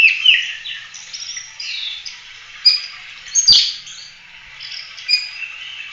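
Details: Oriental magpie-robin giving a continuous 'tembak' song, used as a master for training other songbirds: a jumble of short, varied whistles and chirps at moderate volume, with a single sharp click midway.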